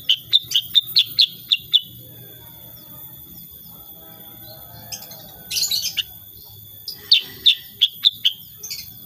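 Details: Energetic 'gacor' sooty-headed bulbul song in 'tembakan' shooting style. It opens with a fast series of about eight sharp high chirps, followed by a quiet gap, a brief buzzy burst, then another quick chirp run.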